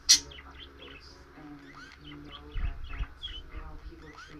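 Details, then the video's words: Pet bird chirping steadily to her bell: many soft, short twittering chirps and small rising notes, with a sharp click at the start and a few low thumps partway through. "Tweety talking up a storm to her bell 🐥"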